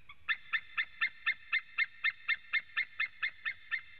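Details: White-tailed eagle in Latvia, recorded by a webcam on a September 2017 afternoon while a male called and a second male joined in: roughly fifteen sharp, barking yelps repeated rapidly and regularly for four seconds.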